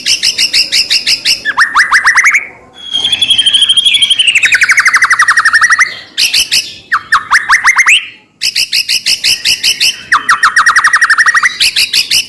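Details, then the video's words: White-rumped shama song meant to provoke another shama to sing: fast repeated chip series, rising whistled runs and a long wavering buzzy trill, in quick bursts separated by short gaps. "murai batu gacor AMPUH buat PANCINGAN murai batu agar bunyi"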